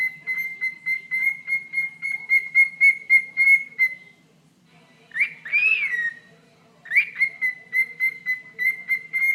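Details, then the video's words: Pet bird chirping at its owner's toe indoors: steady run of short, bright chirps at a fast regular pace, a brief pause, then two louder rising whistled notes before the rapid chirping resumes. "Bird Talking to Toe"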